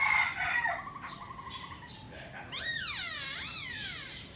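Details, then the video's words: ['Black laughingthrush singing while dancing: after a faint, busy stretch of mixed chirps and a soft wavering trill, loud rich whistles swoop up and down in broad wavy arcs during the final two seconds.'] "Khướu mun hót múa đỉnh"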